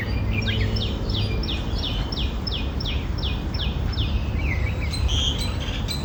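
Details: In a small garden in front of a house during light rain, one of two red-whiskered bulbuls waiting to catch insects after the rain gives about a dozen bright, slurred chirps, three a second, ending in a brief warbled phrase, over a low rumble. The owner is unsure whether this is the male's signature song.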